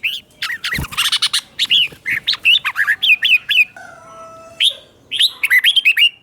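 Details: Caged red-whiskered bulbul performing doubled training-song phrases: springy, arched whistled notes in fast sequences, a long flat tone midway, then a fresh run of bright chirps, plus one loud click near the start.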